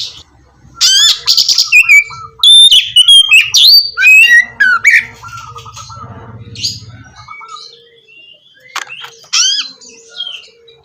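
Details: Oriental magpie-robin singing, played to coax a non-singing bird: a dense run of loud whistles, sweeps and trills, then softer scattered notes with faint low background hum.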